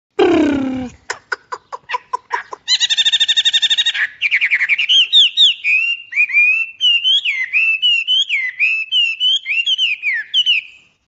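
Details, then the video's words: Thrush singing a varied phrase: a harsh opening note, a run of sharp clicks, then a rich buzzy trill giving way to a long series of clear, warbled whistled notes that rise and fall, in a quiet setting. "The thrush bird’s voice is very beautiful."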